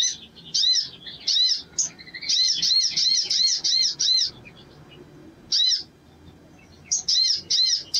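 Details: Sogon bird singing vigorously as a prompt for other sogon birds: bursts of rapid repeated arched high notes, separated by brief gaps and lone chirps.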